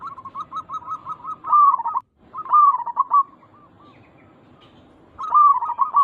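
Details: Local zebra dove in full song, used as a lure to make other zebra doves answer: a run of quick soft cooing notes, then loud rolling, bubbling phrases that break off briefly and return twice.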